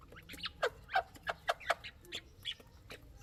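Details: Chukar partridge chicks giving short, sharp chirping peeps, repeated roughly every third of a second in an irregular string, some louder and lower, against a quiet background.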